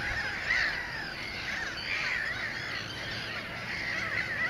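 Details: Mediterranean gulls in a breeding colony at Sol de Loire, Montjean-sur-Loire, Maine-et-Loire, recorded 12.5.13 alongside black-headed gulls and common terns. Clear, arched, nasal calls rise and fall, repeated every second or so over a steady background of colony chatter.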